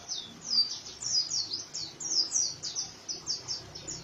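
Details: Oriental white-eye singing a rough 'ngriwik' style song: a fast, steady run of high, thin, downslurred chirps packed closely together for about four seconds, with little background noise.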